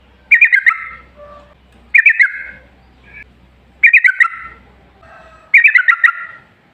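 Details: Yellow-vented bulbul song used as a lure to make other bulbuls sing: short bubbling bursts of a few quick notes with a trailing rasp, repeated about every two seconds, with soft low hum between.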